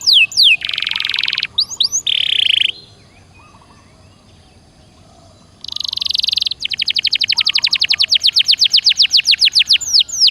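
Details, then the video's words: Canary song as a prompt for a silent caged canary: buzzy trills and sharp notes, a few seconds of quiet, then another buzz and a long run of fast, high, repeated notes. "Suara Burung Kenari Gacor Dor Nembak Untuk Pancingan"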